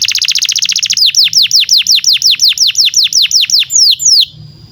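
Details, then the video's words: Canary performing masteran song aimed at young canaries and non-singers: a fast ringing trill followed by about fifteen evenly spaced loud downward-swept whistles, ending in a faint thin tone. "SUARA BURUNG Kenari GACOR PANJANG INI Cocok untuk Masteran KENARI PAUD dan Kenari Macet BUNYI"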